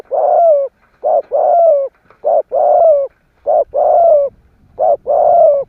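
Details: Spotted dove kept as a lure bird to challenge other doves, calling steadily: short hoots alternating with longer descending rolling coos, about one pair each second, close with faint low background noise.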